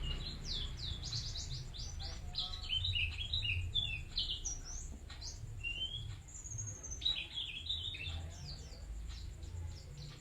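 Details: A white-eye of the bustomi variety sings hard, pouring out dense bursts of sharp high chirps and short descending whistles. There are brief pauses between the bursts, and a steady low hum runs underneath.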